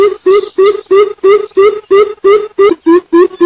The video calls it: Bird Sound ~Centropus Sinensis